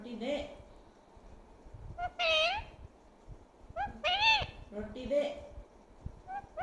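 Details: Pet talking parrot calling out "mummy": several separate arched, voice-like whistled calls rising and falling, spaced a second or two apart, over a low rumbling background.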